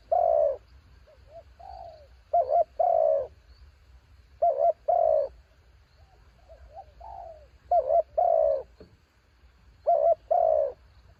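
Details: Spotted dove kept as a decoy, singing against a strong wind: four loud phrases, each a short double coo and a drawn-out falling purr. Quieter answering coos are heard between them.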